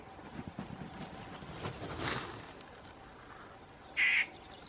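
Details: A Yellow-breasted Chat gives a single loud, harsh, nasal note after a few quiet seconds; Rattlesnake Springs, New Mexico, 6 May 2016.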